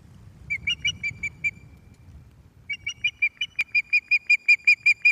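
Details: Resident female osprey returning to her nest at Loch of the Lowes on 11 May 2024 around 18:30, calling as a new male visits without fish. She gives clear whistled piping notes, about three per second, in two runs, over faint low rumble.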